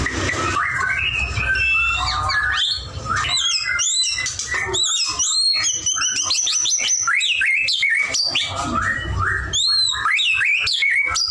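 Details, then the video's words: White-rumped shama in full song; rich, varied whistles, rapid high trills and sharp chattering notes in quick succession, loud and close with little other sound. "murai batu gacor"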